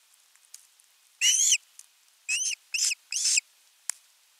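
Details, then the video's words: Osprey chick begging for fish at a Finnish nest camera, nest 3, on 10 August 2021: four loud, high, whistled yelps with rising-then-falling inflection, spaced irregularly, with faint ticks between. "Myy huutaa pitkään kalaa"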